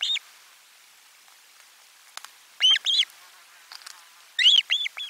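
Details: Osprey at a nest during a lunchtime fish delivery, 12 July 2022, nest camera 4: pairs and triplets of arching whistled chirps separated by quiet gaps.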